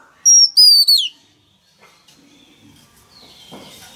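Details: A male oriental magpie-robin sings to stimulate a young bird to sing. Two or three sharp, high, slightly falling whistles come in the first second, then near silence with faint rustling.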